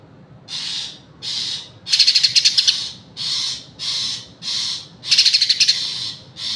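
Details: Green leafbird singing: loud repeated buzzy, hissing high phrases about every half second, two of them broken into rapid sharp pulsed trills, with little else heard.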